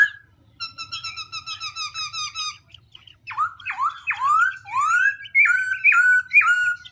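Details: Black-throated laughingthrush switching its voice without pause: a fast even rattle of notes, then loud swooping downslurred whistles and a final row of clipped rising notes repeated about twice a second.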